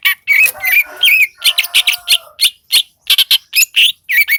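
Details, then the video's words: Vigorous gacor song of a greater green leafbird from Seulawah valley, Aceh: mostly harsh, scratchy chattering notes in quick succession, mixed with a few brighter whistles and a faint longer tone underneath. "Cucak ijo lembah selawah Aceh Gacor"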